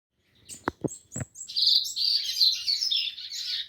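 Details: Rusty-collared seedeater singing a fast, buzzy, chattering warble in one continuous high phrase, preceded by three sharp low knocks or clicks at the start.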